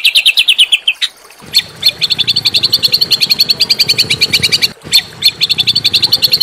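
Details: Small songbirds used as training song for Oriental magpie-robins, giving long, fast, steady runs of sharp high chirps, each run broken briefly by a louder harsh note, over a faint low hum.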